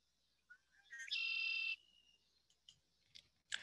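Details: Red-winged Blackbird, among the first birds of early spring, singing from cattails: short introductory notes, then a harsh, buzzy trill held about half a second, followed by a few clicks and a rustle.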